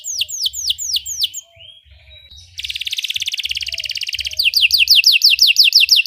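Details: Singing Belgian canary, played to teach other canaries to sing: descending whistled sweeps, a brief quiet gap, a dense buzzy trill, then quick repeated falling notes.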